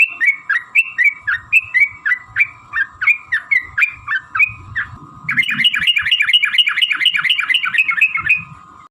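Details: Sooty-headed bulbul lure song in a long rapid style, used to get other bulbuls singing: a run of bouncy fluty notes, then a fast, dense chattering trill that continues for several seconds over low rumbling noise.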